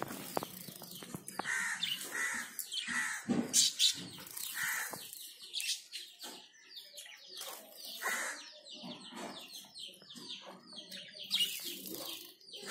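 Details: A pair of zebra finches bathing give rapid, nasal, trumpet-like beeps, the two birds calling over one another.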